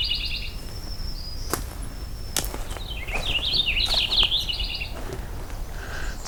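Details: Overcast morning, Purple Finch singing high in a tall jack pine: repeated quick warbled phrases, tumbling and varied, broken by sharp clicks and snaps nearby.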